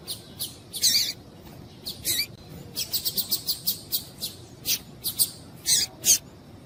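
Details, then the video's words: Female Double-collared Seedeater (coleiro) gives short, high, dry chips, some paired, at an uneven pace of about two per second, over faint hiss; these calls are played to stimulate captive males to sing. "Piado de Fêmea de Coleiro para Esquentar Coleiro"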